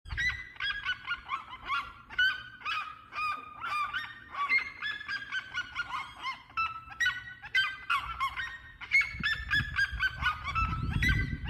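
Red-legged seriemas give loud, rapid, yelping notes that run together in a continuous, goose-like chorus, with a low rumble of wind near the end.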